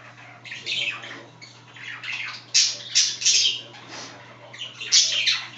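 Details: Budgerigars chatting indoors, two pets talking as a third scratches itself: scratchy warbled phrases and grating squawks rise into loud harsh bursts around the middle and near the end.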